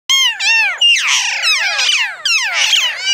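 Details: Hill myna in Phnom Tamao Zoo, Cambodia, a bird able to speak, giving a loud run of harsh, strongly harmonic squawks with sweeping rising and falling notes, almost without pause, on a quiet background.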